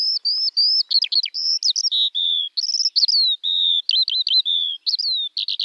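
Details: Skylark (Alauda arvensis) song: a fast stream of high, thin whistled notes, some level and drawn out, others sharply zigzagging, with brief rattles between. Nothing else is audible.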